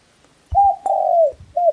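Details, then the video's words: One red junglefowl crow, loud and tonal: a brief opening, a long drawn-out note falling at its end, then a short closing note. "Red Junglefowl (Gallus gallus) pure sound of birds singing"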